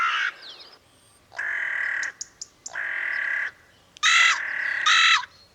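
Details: Carrion Crow (Corvus corone) in Portugal giving harsh, drawn-out caws, four in about five seconds, the last two higher and more strained, with a faint chirp between.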